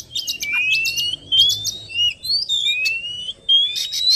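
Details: Oriental magpie-robin lure sound: long, clear whistled notes rising slowly in pitch, repeated several times, with short chirps between them and a faint low hum behind.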